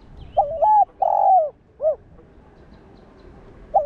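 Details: Spotted dove (cu đất) calling to stimulate caged doves: a single low coo phrase of a wavering note, a long swelling note and a brief clipped ending note, followed by silence and the onset of another phrase.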